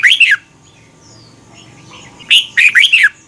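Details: Red-whiskered bulbul song from Thailand, a recording played for young birds to learn from: two short bursts of rich, warbled notes near the start and end, each a quick falling-rising phrase, separated by about two seconds of quiet.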